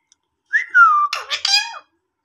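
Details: Talking Indian ringneck parakeet: a slurred whistle falling then holding level, followed by harsh, harmonic speech-like syllables and a final tone that drops and fades.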